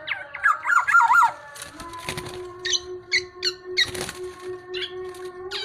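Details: A tame black-naped oriole in full song gives a liquid, wavering whistled phrase, then a few short, sharp notes, all over a steady background hum.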